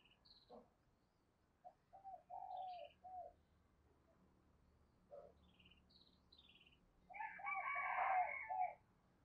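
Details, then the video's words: Spotted dove decoy bird, used to call in new wild birds, giving low mellow coos in short bursts, loudest as a rich, rolling run of coos near the end; high thin chirps from other birds are heard in between. "Tiếng Chim Cu Mồi THÚC và GÁY GỌI Bổi Mới, Mở Là Gáy"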